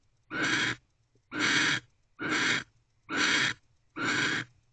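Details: Wild barn owl in nest box C at 3:02 am on 31 December 2023, guarding the box door after returning without mating; five harsh, broadband hissing screeches, each about half a second, spaced roughly a second apart.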